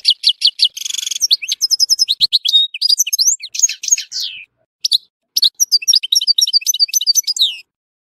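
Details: Goldfinch from Tissemsilt in full song, a dense stream of high twittering notes with rapid trills and sharp upslurred chirps, broken by short pauses near the end.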